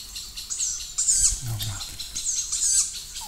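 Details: Young tawny owls, already fairly large, calling near their parent in an old forest: two harsh, very high hissing screeches about one and a half seconds apart, over a low murmur of nearby voices.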